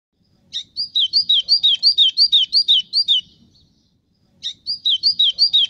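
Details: Brazilian white-throated seedeater song: a quick, even string of sweet slurred whistles dropping in pitch, about a dozen notes over three seconds, then silence before another phrase begins in the same pattern.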